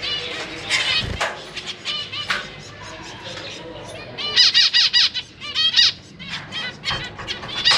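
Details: Zebra finch parents with three juveniles and three newly hatched young in a cage, 4 May 2023, busy feeding; scattered calls at first, then a dense run of loud nasal beeps repeated rapidly by several birds.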